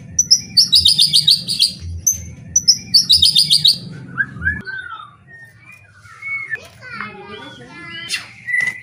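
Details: White-rumped shama song played to stir other shamas into singing: bright, high, rapidly repeated note clusters in two bursts, then varied clear whistles, slurred rising and falling phrases. A low rhythmic thumping underlies the first half.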